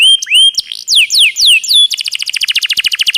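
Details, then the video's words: Canary tutor song with a held whistle, several broad downward-sliding whistled notes, then a fast rolling trill of many short repeated notes. "Masteran Isian Kenari Super Istimewa..!!! Ngeroll Panjang"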